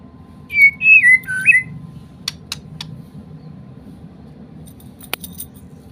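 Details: Medan-type white-rumped shama giving kapas tembak material: three or four clear whistled notes sliding down and back up, followed by scattered dry clicks and a long quiet stretch over a faint low background hum.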